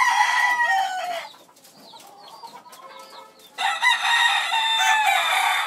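A chicken gives two loud, harsh, drawn-out calls, the first trailing downward, with a quieter gap between them where faint small-bird chirps are heard.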